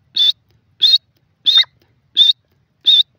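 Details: Grey francolin, known as teetar, calling: five loud, high, slightly rising notes, each short and harsh, repeated at an even pace about every two-thirds of a second, against a silent background.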